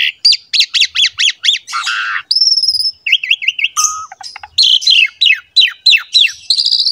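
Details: Energetic Asian pied starling song for luring other starlings: a run of repeated looping whistles at the start, then a long buzzy note, a high pure whistle and more quick slurred notes.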